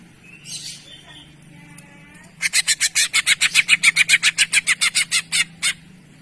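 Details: Cucak ijo, the greater green leafbird, on a tutor recording meant to train birds into jantrok song: after faint soft notes, a steady string of loud, evenly spaced high chips, roughly four per second, over a low background hum.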